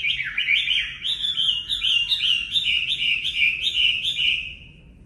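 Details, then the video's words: Chinese hwamei 'mộc' song for voice training of caged birds: a rich, continuous run of loud, warbling whistled notes that rise and fall quickly, then fade at the end. "Luyện giọng Họa Mi mộc"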